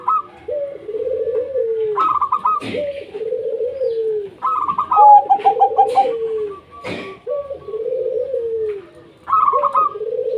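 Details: Local wild zebra dove, a lure song meant to set lazy doves singing: repeated bubbling coos, each a short higher note followed by a long, low, falling purr, phrases every two seconds, with a faint clicking in the background.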